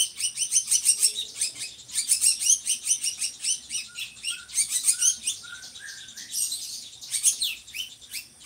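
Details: Drongo singing steadily, a bird used to tutor other songbirds: continuous rapid high chirping and twittering in pulsing waves, with a short series of soft lower whistled notes in the middle.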